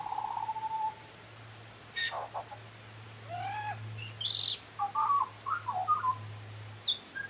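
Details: A butcherbird sings a mellow low whistle, then sharp upsweeps, gliding mid-pitched notes and a cluster of warbled phrases near the end, with a low droning hum in the background.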